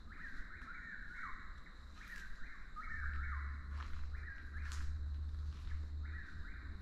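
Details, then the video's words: Chuck-will's-widow's whistled rising-and-falling phrases repeat about every one to one and a half seconds beneath a heavy low droning rumble, with a steady high hum and a few sharp clicks. "Sounds of Nature, Chuck-will's-widow"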